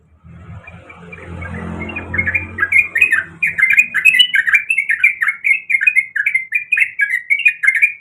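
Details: Female sooty-headed bulbul calling the male, in heat; after a low rumbling start, a fast run of short warbled notes around two to three kilohertz repeats steadily for about five seconds.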